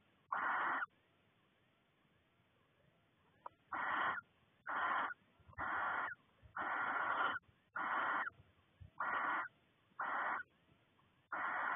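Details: Barn owl pair at a nest box in February 2020, the male bringing voles to the female before laying and screeching to call her in: harsh, breathy hisses, each about half a second to a second, repeated roughly once a second over a quiet background.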